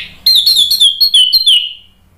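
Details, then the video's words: Orange-headed thrush singing as a lure to make another bird answer: a clear, loud run of repeated sweet whistled notes, each gently falling, delivered rapidly for over a second. "PANCINGAN ANIS MERAH biar EMOSI jadi NYAUT BUNYI GACOR NGEPLONG"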